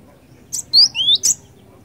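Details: Brief Cinereous tit phrase from a lure recording: two rising whistled slurs framed by sharp high clicks, quiet hum underneath.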